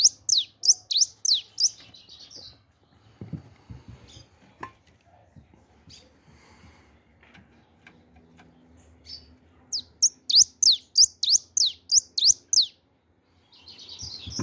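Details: Pet bird singing in two bursts of quick, high, descending chirps separated by a quiet stretch with faint clicks and room noises.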